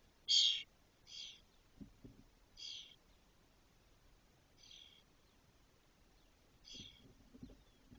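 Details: Nestling Spotless starlings in Doñana National Park, 22 days after hatching, when the first chick leaves the nest; five breathy, rasping bursts, the first loudest, then fainter ones at irregular intervals.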